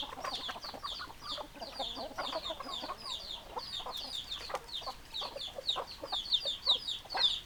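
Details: Chickens in a group: irregular bursts of clucking and high descending chirps, roughly two calls a second, growing louder and shriller toward the end.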